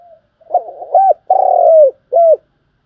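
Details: Spotted dove cooing as a trapping lure, thúc gù style: a faint lead-in, rough choppy notes, an arched coo, a long pulsing buzzy coo that sags at its end, and a last short arched note.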